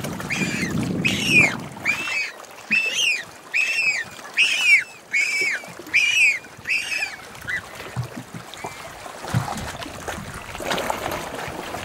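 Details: A Galápagos penguin fledgling begs from its parent while being fed, a first record of this: harsh, high, arched squawks, about eight in a row roughly every half second, over lapping water and low wind.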